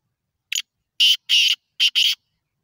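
A black francolin gives a harsh, grating phrase: a short clipped note, then four loud rasping notes over about a second and a half, with no other sounds.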